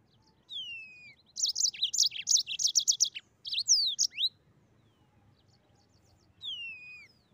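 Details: Mozambique canary giving a vigorous 'ngeroll' rolling song. A single falling whistle leads into a dense two-second flurry of high, sharp trilled notes, then swooping slurs and a final descending whistle.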